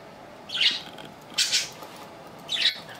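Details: A three-year-five-month-old pet budgerigar gives three short, harsh, buzzy squawks about one second apart. The middle squawk is a doubled note. The background is quiet.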